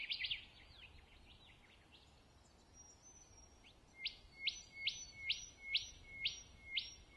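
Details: Rufous whistler in Pomingalarna Reserve, NSW, Australia, opens with a quick, jumbled warble, then about eight loud, sharply rising whip-like notes, roughly two per second.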